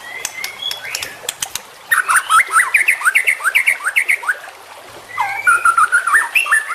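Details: Young champion white-rumped shama song used to train other birds: a few thin whistles and clicks, then fast runs of liquid, warbled, downslurred notes, a brief pause, and another rapid twittering run.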